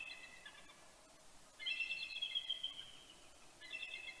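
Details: Bald eagle pair at Big Bear, California, exchanging morning greetings before sunrise on 26 October 2019, with vocals from other eagles: three bursts of high, rapid staccato chittering, the middle one longest and loudest, over a faint hiss.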